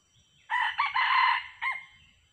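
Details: Wild male red junglefowl with yellow plumage, which came with a hen to a trapping site, gives one hoarse crow about a second long, broken into rough segments and ending in a short, clipped note, with a faint low rumble behind.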